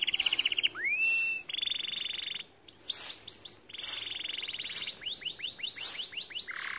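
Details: White canary in full song, mixing long metallic trills and rolls with bursts of quick descending whistled notes and a rising slur, phrases changing pitch every second or two.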